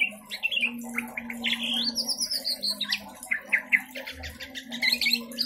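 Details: White-rumped shama that got loose from a breeding cage at home sings a rich, varied song. Rapid whistled phrases, rising slurs, repeated sharp notes and chattering bursts follow one another without pause, over a constant low hum.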